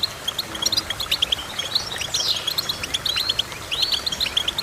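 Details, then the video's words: Goldfinch singing in quick bursts of bright twittering notes, with a sweeping downward whistle near the middle and rapid tinkling chirps repeated toward the end. "Goldfinch Chirping"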